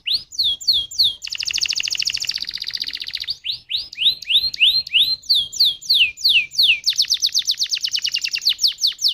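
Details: Canary song played to provoke other canaries into singing: looping whistled notes, a buzzy rolling trill, more rising phrases, then a rapid rattling tour of repeated notes.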